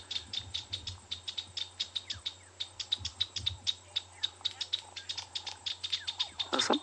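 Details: Chinspot batises in Ngala Private Game Reserve, South Africa, on an afternoon game drive, 10 May 2020, give agitated, sharp, dry clicking notes, about four a second in a rattling stream, over engine hum; perhaps a territorial dispute or snake, leopard thought unlikely.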